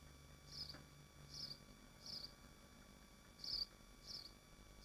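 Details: Nesting swifts in Machynlleth within the Dyfi Biosphere, picked up at the nest: six brief, shrill, rasping bursts come at uneven intervals, with a steady low background hum.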